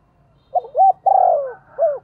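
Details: One full call phrase from a decoy spotted dove calling the flock: two rising low coos, a long, rough-edged coo sliding downward, then a last short falling note.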